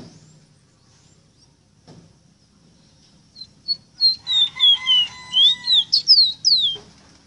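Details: Tutor song of a ruddy-breasted seedeater for teaching captive birds. Faint notes lead into a bright series of clear whistles dropping in pitch, then several fast swooping, upward-flicked notes before it stops.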